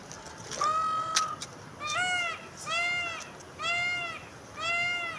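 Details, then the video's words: Wild peacock calling: first a long, level, high cry, then four loud arched wailing calls with strong harmonics, spaced about a second apart, over light background noise. "#peacock ,wild birds"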